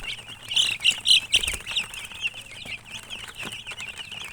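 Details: Baby chickens chirping: a dense chorus of high, quick peeping notes from many chicks, with some flapping and thumping sounds mixed in.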